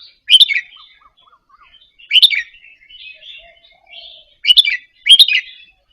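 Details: Indonesian-type Red-whiskered bulbul in a cage, quietly rehearsing a doubled-phrase song style meant to rouse listening birds. Four sharp, rich chirping bursts arrive as one early pair and one late pair, separated by soft scattered warbling notes.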